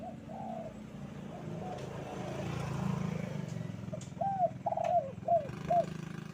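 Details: Spotted dove heard on a bright morning in kuk 2 style against a loud rumbling background like passing traffic. Soft coos come first, then a clear series of five arched, hollow coos toward the end.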